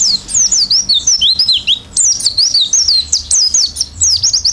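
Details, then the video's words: Oriental white-eye in full song with open beak, a fill-in style song: dense, rapid high whistled phrases sweeping up and down, pouring out nearly without pause, with a faint low hum beneath. "pleci gacor isian buka paruh"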